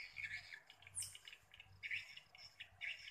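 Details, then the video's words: Swiftlets recorded in the evening of 31 October 2021 give bursts of sharp, twittering chirps about once a second, with one thin, very high squeak in the middle, over a faint low rumble. "respon walet"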